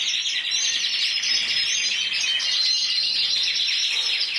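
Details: Intense yellow canary, 2014 Spanish individual champion scoring 94 points, singing a steady, high-pitched rapid trill that shifts between rolling and chattering phrases.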